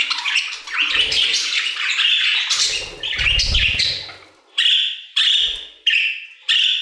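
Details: Several budgerigars singing together in an aviary: a dense run of raspy warbling for four seconds, a low fluttering thud in the middle, then four short separate squawky chirps spaced about half a second apart.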